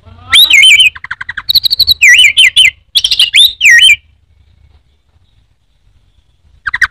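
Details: Orange-headed thrush in teler song, a caged bird popular in Indonesia: wavy whistled notes and rapid buzzy trills in quick succession for about four seconds, then near silence before a new phrase.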